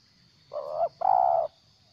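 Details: Spotted dove, a caged decoy bird used for trapping, giving the stuttering 'gagap' call during its tail-pushing phase: a short mid-pitched coo, a brief pause, then a longer, fluttering coo. A steady high electrical hum runs throughout.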